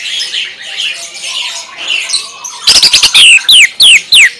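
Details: Greater green leafbird delivering a 'tembakan' (shooting) song burst: after a murmur of background bird chatter, a quick stutter of sharp high notes breaks into four loud, emphatic downward-sweeping whistles spaced about half a second apart.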